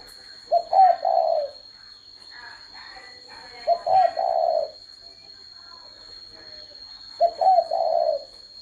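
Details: Spotted dove cooing: three soft, low, hollow coo phrases, each a short note followed by a longer drawn-out coo, repeated roughly every three seconds, with a faint steady high tone in the background.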